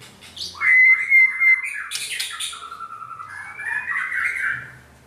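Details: Trained white-rumped shama pours out a continuous song mixing a long level whistle, harsh squawky notes and buzzy bursts, ending in a rising, warbled phrase.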